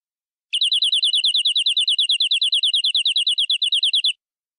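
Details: Local canary, described as native forest stock, giving a full-fill master song with ornate phrasing. A fast, even trill of high chirped notes, about eight to nine per second, lasts some three and a half seconds against silence.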